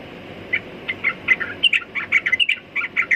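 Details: Trucukan, or sooty-headed bulbul, in lively song: evenly spaced clear chirps that quicken into a jumbled chattering sequence of bright notes, mixed with slurred whistles.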